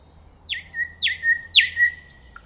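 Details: Nightingale song phrase of three loud downward-sweeping whistles about half a second apart, each falling steeply then leveling into a sustained low tone, with faint high notes between.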